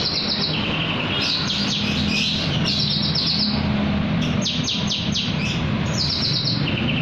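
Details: Javan bush lark song at night, made of repeated quick descending high strokes and short trilled phrases at a brisk pace, over a continuous low droning background hum.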